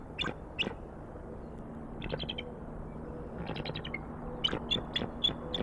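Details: Female bald eagle at the Decorah nest, filmed by a live nest camera on 4-5-19, calling her mate for a shift change while the eaglet watches. Several bursts of rapid, high chittering notes, some separated by pauses, over low background hum.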